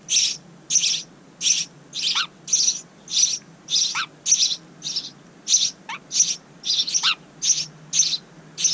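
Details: House wren nestlings in a bird house outside a kitchen window, the second family of the year, keep up a long series of rasping, hissy bursts, about fifteen in nine seconds. Occasional brief downward-sliding chirps break in.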